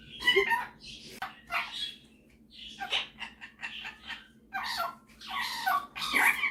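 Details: Pet male superb parrot indoors at home, showing off his singing and mimicking skills: a run of harsh, chattering, speech-like bursts with short pauses between them, rising and falling over about six seconds, with a faint steady hum.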